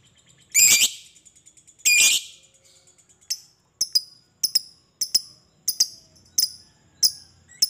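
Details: Lovebird chatter used as a lure to get other lovebirds singing: two loud harsh buzzy bursts, then a string of sharp high clicking chirps about once every half second.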